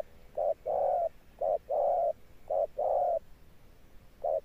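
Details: Low, resonant cooing from a wild-caught spotted dove in the 'thunder-tone' style: three short-then-long hoot pairs, then a lone short note after a pause.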